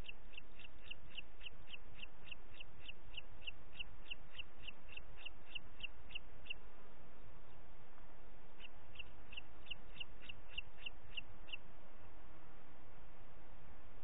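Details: Two bursts of fast, evenly repeated high notes, several per second, separated by a short pause, from a booted eagle at Parc Natural dels Ports, 30 June 2021, 11:01, with steady background hiss.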